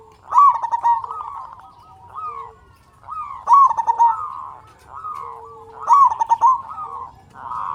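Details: Local Indonesian zebra dove in full, loud song, used to stimulate other doves to sing. Three bursts of rapid, staccato cooing notes come about every 2.5 seconds. Softer, drawn-out coos from other doves fill the gaps.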